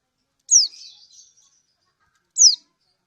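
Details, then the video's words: Lemon-bellied white-eye from Lombok, a female calling a male, used as a lure to make other birds sing: two sharp, high, downward-sliding 'ciak' notes about two seconds apart, the first followed by a soft, fading twitter. "Ciak burung Kecial Kunin Lombok"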